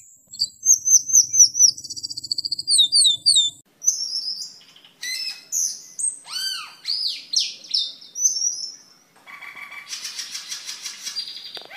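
Asian fairy-bluebird song: rapid runs of high, liquid upslurred whistles, then varied chattering and slurred notes, ending in a harsher buzzy twitter.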